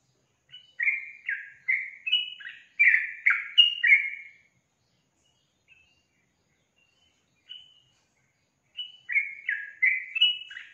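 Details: Sooty-headed bulbul gives two bursts of chattering, slurred notes, about six quick notes each, separated by several seconds of near silence with only a faint lone note in between.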